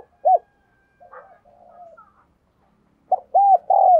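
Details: Spotted dove acting as a decoy, cooing to set off calling in other doves. A single loud note comes first, then soft murmurs, then a strong phrase of hollow notes ending in a long downward coo.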